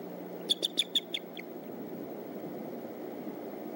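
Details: Bald eagle father calling on arrival at the Decorah nest, 6:30 a.m., morning sunrise, 22 March 2014: a single run of about six quick, high piping notes fading toward the end, then only background rumble.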